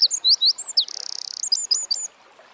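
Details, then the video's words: Eurasian wren song in a natural setting: bright swooping whistled notes, a rapid buzzy trill, then several short high whistles before fading out. "Birds Singing - Eurasian Wren"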